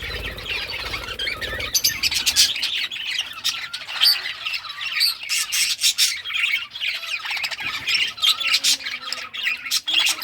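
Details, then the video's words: Budgerigars of rare colours chirping while playing with toys, a brief low rumble at first, then dense raspy chatter and repeated sharp squawks from several birds. "Budgies all rare colors playing and chirping sounds playing with toys"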